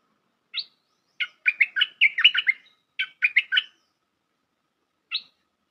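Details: Bulbul call used as a trapping lure: a single chirp, then a tumbling burst of quick chattering notes, a shorter chatter, and a final lone chirp, in otherwise quiet surroundings.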